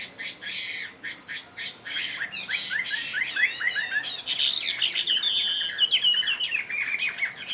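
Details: Chinese hwamei kept one year in a cage delivers fast repeated whistled notes, then a run of quick downward-slurred phrases and loud rolling warbles, with a thin sustained high tone in the background.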